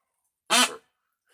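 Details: A young male peafowl near its coop, apparently vocalizing for the first time, gives one short, harsh, burp-like croak lasting about a third of a second, then falls silent in a quiet indoor space.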